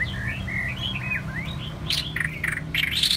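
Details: White-rumped shama song of rich, fluid whistles sliding up and down, followed by quick bright chips and high sweeping notes, set against a steady low rumble.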